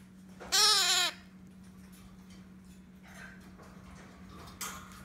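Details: A Red-shouldered macaw chick being hand-fed gives one loud, harsh, nasal squawk lasting half a second, followed by faint rustling and a steady low hum.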